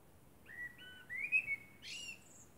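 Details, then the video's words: Moonlit common blackbird song, short flute-like notes stepping down, then a louder swooping whistle, ending abruptly in a harsh, high-pitched squeaky flourish. "Blackbird sings under the moon"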